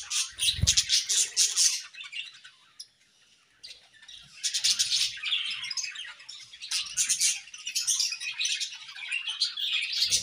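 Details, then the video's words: A budgerigar pair singing in an aviary in the morning: dense, high chattering warble in bursts, with a brief quiet pause midway before the busy twittering resumes. "A Beautiful Morning with Budgie Pair | Serenade in the Awesome Aviary"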